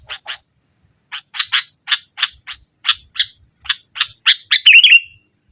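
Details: Vocal sooty-headed bulbul in nggaruda style, a lure for a bulbul that has stopped singing: an accelerating run of dry chips climbing into a tumbling warble at the end.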